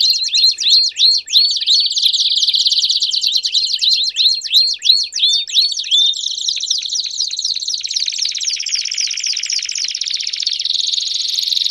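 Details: Belgian canary singing loudly with rapid stacked chips and upswept notes for several seconds, then sliding into a smooth, slightly lower continuous rolling trill.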